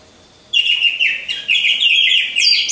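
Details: Orange-headed thrush kept in a hanging cage among others, singing lure song for training: after half a second of quiet, a loud run of high, rolling, slightly buzzy whistled phrases with brief breaks.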